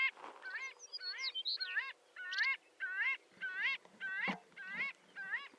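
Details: Marbled godwit, a large shorebird, giving a rapid run of about nine nasal, harmonic calls, each with a rising upslurred ending. A few thinner squealing notes are mixed in near the start.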